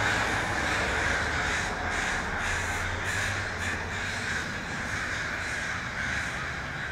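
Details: Crows massed in a Vancouver tree, British Columbia, Canada, filmed with an iPhone 5S; many birds cawing at once, rough grating calls stacking into a constant clamour over a low urban rumble.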